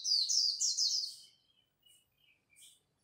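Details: Japanese white-eye in a dawn singing contest: a loud quick burst of high, sweet, downslurred whistles lasting about a second, followed by faint scattered chirps.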